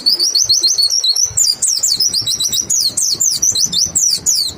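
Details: Lure song of a white-eye meant to prompt other white-eyes to sing: high, clear wavering trills that break into fast repeated sharp downslurred chirps, several per second, with faint low knocking beneath.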